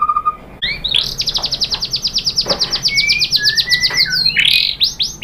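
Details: White-rumped shama song played to provoke other shamas to sing: a long fast series of bright repeated high notes, about five per second, with slurred whistles and a louder burst near the end.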